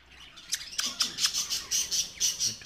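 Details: Pet talking rose-ringed (ringneck) parakeet gives a rapid series of harsh, high squawks and chirps, about four per second, with faint room noise behind.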